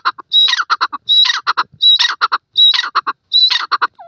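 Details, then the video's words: Repeated partridge call, each phrase opening with a thin high whistle and breaking into a string of rough, chattering lower notes, about five phrases in quick succession. "partridge birds voice"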